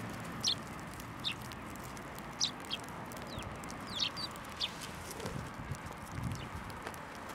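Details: Several sparrows flying onto a hand for food at a Tenmangu shrine, 21 December 2023, give scattered sharp high chirps, some in quick pairs, amid faint low rumble.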